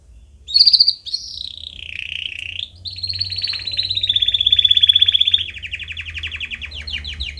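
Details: Canary song played as training for young canary chicks: a loud high whistled note, a lower warbling phrase, then a long rapid trill held at a steady high pitch, ending in quick repeated chirps over a faint low hum.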